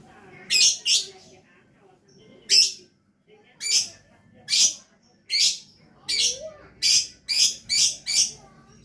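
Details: Lovebird singing in lively gacor style: harsh, high chirps, some doubled, coming in irregular bursts, with a short rising whistle between them and a faint low hum beneath.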